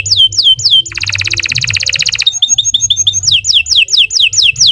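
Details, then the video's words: Canary in long, lively song used to coax other canaries: slurred falling whistles, a dense buzzy trill, a quick series of chips, then falling whistles again, with a faint low hum behind. "Kicau Burung Kenari 148 II LUAR BIASA GACOR PANJANG Cocok untuk Masteran"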